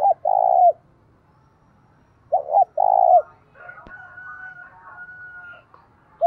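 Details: Decoy spotted dove cooing to provoke fighting, two full phrases of double hoots and sustained low coo, then a soft click and a faint, long, higher whistled tone before another phrase begins.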